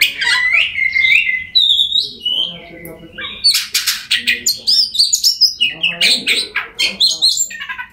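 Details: Oriental magpie-robin song meant to coax a silent bird into singing, a rich medley of clear whistled notes, rising slurs and scratchy rapid buzzes, delivered continuously and loudly.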